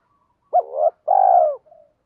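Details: {'caption': 'Cooing decoy spotted dove calling to attract wild doves; a clipped upswept first note followed by a drawn-out, gently falling coo, with a faint short murmur after it.'}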